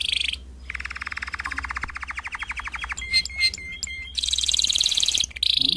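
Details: Canary song from a prepared CD, with a harsh high burst, a long rapid rattling trill, a few sharp whistled pips and a loud high buzzy roll, over a low hum.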